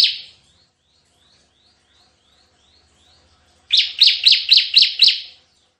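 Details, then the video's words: Bar-winged prinia singing in 'tembakan' (shooting) style: a soft string of faint, distant high notes, then a loud burst of six rapid, sharp chips near the end. "suara tembakan CIBLEK GACOR"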